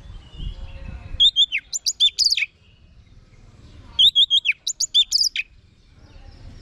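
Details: Orange-headed thrush (Geokichla citrina), used as a vocal tutor and lure for others of its kind, sings two bright, varied phrases of clear whistles and sweeping high notes, each about a second and a half long, with quiet pauses.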